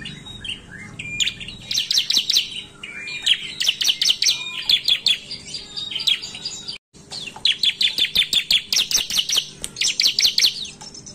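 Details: Ciblek, or bar-winged prinia, singing loud 'narung' style as a lure for other ciblek: long fast series of sharp, high, rattling chirps, broken into runs, with a brief silent cut midway.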